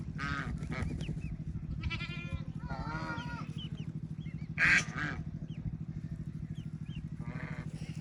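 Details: Ducklings with their mother and family on a peaceful rural farm, swimming and playing in water: harsh, harmonic quacking calls and short, thin, upward-sliding peeps, scattered irregularly over a steady low machine hum.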